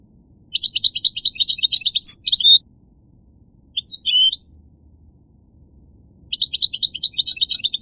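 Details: Goldfinch song: two bursts of rapid twittering, tinkling notes with a short buzzy phrase between, high and jumping between pitches, over a quiet background.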